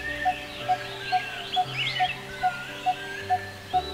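A Coppersmith Barbet gives a steady, hollow 'tuk… tuk… tuk', about two notes a second. Soft background music and faint chirps of other birds are also heard.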